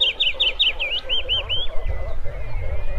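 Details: A wood warbler delivers a brisk string of about eight high, clipped notes in the first second and a half, then fades among softer birdsong and low rumbling noise.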